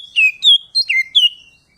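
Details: Short burst from an Oriental magpie-robin singing ngeplong to call a rival: four or five sharp, clear whistled notes, each slurring down, delivered quickly in a clean, quiet setting.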